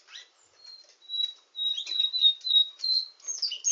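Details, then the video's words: Nightingale singing canary giving soft opening notes, then a string of clear sustained high whistles broken by quick chirps, rising into bright twittering at the end. "Nightingale singing canary"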